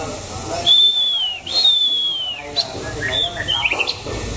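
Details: Six-season-old white-rumped shama near the end of its moult, 2018, its voice described as pure wild-style; two long clear whistles hold high then slide downward, followed by shorter quick whistled notes over faint background noise.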